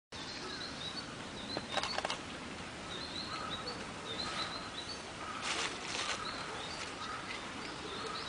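A Mugimaki flycatcher sings softly in brief, thin, high twittering phrases, repeated every second or so, over steady hiss with a few louder rustling bursts.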